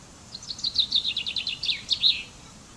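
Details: Common chaffinch delivering a brisk song: sweet, clipped notes repeated quickly in a slightly descending run, ending with two louder accented notes; quiet background.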